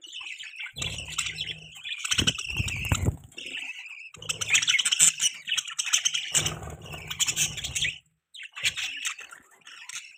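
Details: Several bursts of budgie chirping, busy high warbling and squawky notes, separated by short gaps, with low thumping noise during some bursts.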